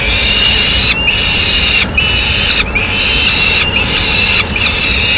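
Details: Female peregrine falcon bringing a pigeon to the nest in Madrid on 6 May 2016; drawn-out, harsh wailing notes about a second long, repeated five times with brief gaps, against a steady hiss.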